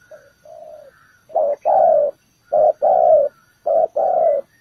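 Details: Spotted dove used as ground bait at a bird trap: after soft, faint opening notes, three loud low cooing phrases, each a short coo followed by a longer drawn-out one, spaced about a second apart.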